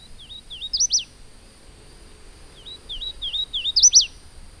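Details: A male Hooded Warbler at Cumberland Gap National Historical Park calls to his mate from branches overhead: two bursts of clear, slurred whistles, rising notes ending in an emphatic downslurred phrase, about three seconds apart, over faint hum.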